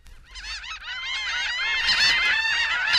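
Laughing Gull: a chorus of nasal, laughing calls with harmonics, rising and falling, overlapping quickly with several birds calling at once.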